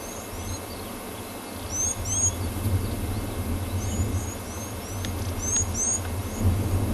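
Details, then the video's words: Blue waxbill calling from a tree at sunrise on 6 August 2020, seemingly just woken; thin high upslurred whistles in pairs and short series, with other faint chirps and a low vehicle rumble beneath. "It's calling. Can you hear that?"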